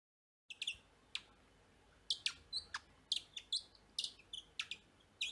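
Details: A just-fledged Japanese tit chick held in a person's palm gives high, sharp chips, singly and in quick pairs, about two or three a second, against a quiet background.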